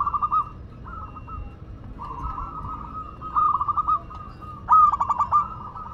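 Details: Local Madura zebra dove in full song: quiet, softly rolling coo phrases that build into a louder, clipped stuttering trill near the end, over low background hum.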